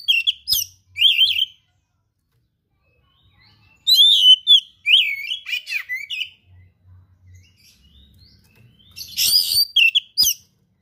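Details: Oriental magpie-robin (kacer) in 'gacor' song full of rare learned phrases: whistled slurs and rapid chattering notes in three separate bursts, brief low thumps in the pauses.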